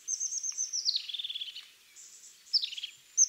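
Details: A European crested tit twitters in high thin notes, then slides into a descending rolled trill, followed by a shorter sweeping phrase and a final sharp high note.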